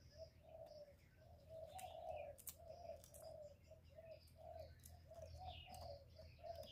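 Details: Spotted dove cooing meant as a lure for trapping wild doves: a long series of mellow low notes, closely spaced, while other birds twitter and chirp higher above a steady low hum.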